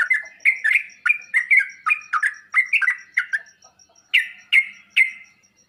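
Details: Sooty-headed bulbul song used to make other bulbuls answer and sing. Loud, clear chirping phrases of quick rising and falling notes, around a dozen in fast succession, then three separate louder notes after a short pause.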